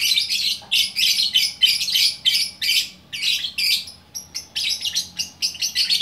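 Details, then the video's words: Lovebird from Bukittinggi, West Sumatra, a single unpaired fighter bird singing in the gacor orkestra style: rapid bursts of shrill, buzzy chattering notes, about one burst per second, with brief pauses between phrases. "Burung Lovebird Gacor Orkestra"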